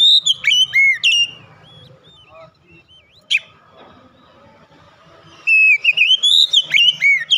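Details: Loudly singing Oriental magpie-robin, known as kacer, opening its beak wide: whistled looping phrases, soft scattered notes and one sharp click during a lull, then a long rich burst of whistles.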